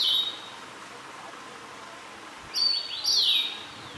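Liocichla giving a brief high whistle, then after a pause two loud, clear whistled phrases that slide down, with faint background hiss.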